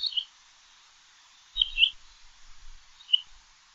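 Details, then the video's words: Common quail calling with short, high clipped notes: one note at the start, a quick three-part burst near the middle, then a single note near the end, with quiet gaps between. "Перепел. Перепёлка. Голоса птиц"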